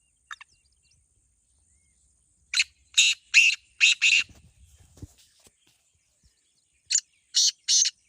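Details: Black francolin in a head-to-head voice contest: a run of five loud grating notes, a brief low rumble, a pause, then three more harsh buzzy notes near the end.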